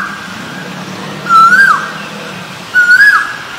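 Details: Two strong rising whistles from a male Asian koel, each note climbing then falling sharply at its end, about one and a half seconds apart.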